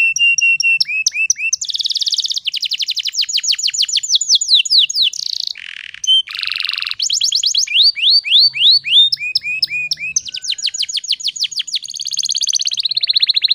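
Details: Female canary in breeding condition used to lure males into singing, Indonesia: long varied phrase of fast chirp runs, rattling buzzy rolls and sweeping downslurs, delivered almost without pause, with a faint low hum in places.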